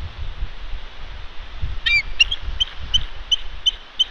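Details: Female bald eagle at a Santa Catalina Island nest, California, harassed by ravens in February; a short squeal followed by a string of brief high chips repeated about three times a second, with wind noise.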